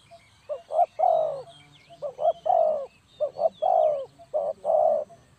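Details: Spotted dove calling, used as a lure for trapping. Three hollow cooing phrases, each two short rising notes followed by a longer, slightly falling coo, with faint high chirps from other birds behind.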